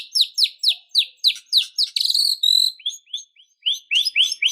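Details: White-rumped shama singing emotionally in a fighting mood: a fast series of high, downslurred notes about five a second, a buzzy trill, then upslurred whistles.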